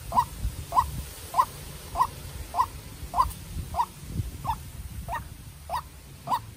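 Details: White-breasted waterhen, a young captive-bred decoy, in a fierce encounter with a wild bird. It gives a steady series of about eleven short, hoarse notes, evenly spaced at under one per second.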